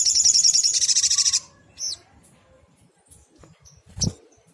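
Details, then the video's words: A sunbird, locally called sogok ontong, singing actively as a tutor recording for other birds: a loud, fast, buzzy high trill lasting over a second, then scattered thin chips and a low knock. "SOGOK ONTONG GACOR bagus untuk masteran"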